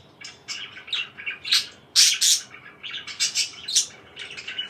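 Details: Parakeet chirping: scattered sharp chirps and short squawky notes, irregular bursts with a louder harsh pair near the middle.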